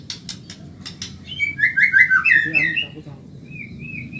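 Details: White-rumped shama of the Medan type, kept as a cage bird and used as a fast training song. A few dry clicks lead into a dense burst of quick warbled whistles, then a softer rising whistled phrase closes.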